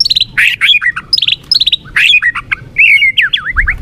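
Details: White-rumped shama (murai batu) song used as a pancingan lure to rouse a weak shama into a fighter: loud, rich phrases of falling and rising whistles, rapid clipped notes and harsh bursts, with short pauses between phrases.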